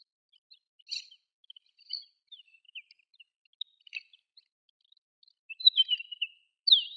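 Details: Desert wheatear, a passage migrant or winter visitor at Sakae, Chiba, Japan, gives soft, scratchy subsong: scattered high twitters and chirps at irregular intervals, ending in a brighter warbled phrase.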